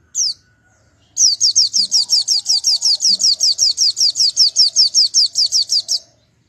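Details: White-eye whose strange song is said to fire up rivals: one high chirp, a short pause, then a long steady string of about twenty-five quick descending whistled notes lasting five seconds.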